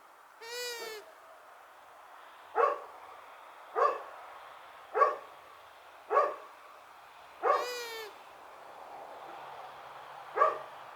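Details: Female long-eared owl giving two drawn, nasal hoots several seconds apart. Between them come sharp, short bursts repeating roughly every second and a quarter over a faint hiss.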